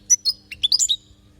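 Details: Short European goldfinch phrase recorded in Palestine for teaching young goldfinches to sing: two high clear chirps followed by a quick cluster of bright, liquid, downward-slurred twitters, all within about a second.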